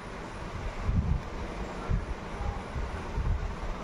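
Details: Low, rumbling mechanical noise like a passing vehicle or train, with no animal voice heard.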